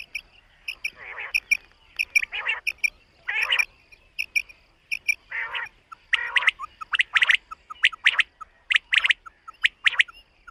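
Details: Common quail calling on a summer meadow in the morning: short clipped notes in quick groups of about three, repeated through the clip, mixed with louder noisy bursts and faint high ticks.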